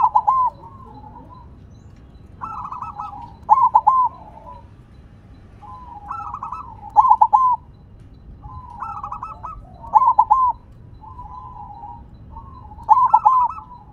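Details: Silver zebra dove singing persistently while set on the ground: five evenly spaced song phrases, each a trilled coo run ending in a loud cluster of quick stuttering notes, roughly every three seconds.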